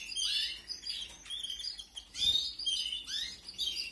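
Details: Canary nestlings from 2021 begging as they are fed, high piercing squeaks and short upswept chirps in uneven bursts, with a soft rustle near the middle.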